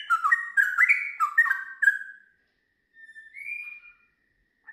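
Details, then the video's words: Sooty-headed bulbul in full song, "ngiwir" followed by long rapid runs: a quick burst of bubbly, liquid whistled notes for two seconds, then after a pause a single clear rising whistle. "TRUCUKAN GACOR ngiwir lanjut ROPEL PANJANG"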